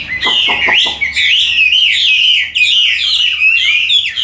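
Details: Hwamei kept in a cage, yellow-legged and yellow-billed, singing loudly: a few sharp opening notes, then a continuous warbled run of rapid, wavering whistles without pause.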